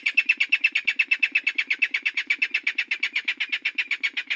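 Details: Okinawa Rail (Hypotaenidia okinawae) giving a fast run of loud, harsh, high notes, about three a second, held steady throughout.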